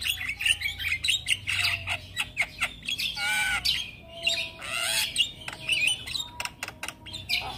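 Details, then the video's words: Young Asian pied starling singing all day, a varied run of harsh squawks, clicks and whistled notes, some rising and falling, packed densely with brief pauses. "Jalak Kebo Super Gacor Rajin Ngoceh Seharian - Masteran Jalak Kebo Muda"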